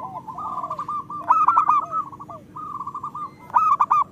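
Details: ['Zebra dove of a local type singing, meant to prompt reluctant doves into song: a short train of rolling coos, then a loud bubbling phrase, a pause and another rolling burst.']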